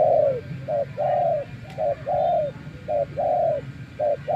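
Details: Decoy spotted dove in a trapping context, tamed after many days in the wild, delivers a regular chain of two-part coos, each a quick note before a longer downward-sliding coo, over a low rumbling background.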